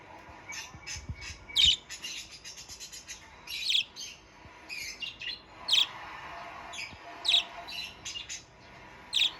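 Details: Budgerigar just starting to sing in full, loud chatter: sharp high chirps every one to two seconds over a steady soft twittering background, with a brief burst of fast ticking notes early on.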